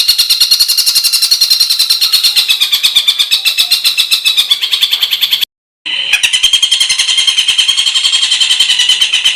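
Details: Songbird from a master recording compiled to train competition birds, featuring harsh 'tembakan' fill notes: a continuous, very rapid buzzy trill of harsh repeated notes, briefly cut by a silent splice before resuming slightly lower.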